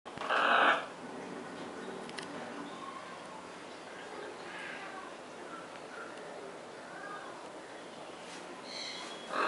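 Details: Pair of scarlet macaws kept on a farm: one loud harsh squawk opens, followed by faint murmuring calls and a room-like hiss, with another raspy call starting at the very end.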